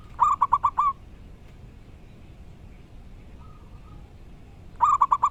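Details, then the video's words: Zebra dove from the wild, locally caught, singing loudly: two bursts of five quick, ringing staccato coos about four seconds apart, a faint soft note in the gap, and steady hiss throughout. "Burung perkutut lokal alam gacor dor suara keras & lantang"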